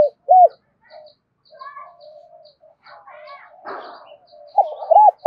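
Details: Spotted dove lure bird calling to provoke wild doves: a single short coo opens, then soft chirping and a brief rustle, then a loud run of hoarse cooing notes at the close.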